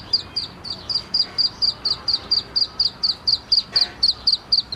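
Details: ['Black francolin chick: a steady series of short, high, sharp peeps, about four per second with slightly uneven spacing, around nineteen notes in all, over faint background hiss.']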